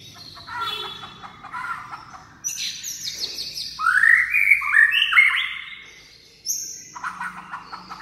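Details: White-rumped shama delivering a rousing song full of varied voices, mixing rich whistles with buzzy notes and a loud sequence of stepped, upward-sliding whistled phrases, then pauses and resumes.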